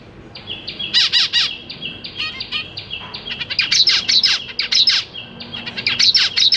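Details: Zebra finch family in a large cage, parents busy feeding three juveniles and three newborn chicks, May 2023: loud, dense run of nasal, harmonic beeping calls in quick bursts, with a steady buzzy tone running between them.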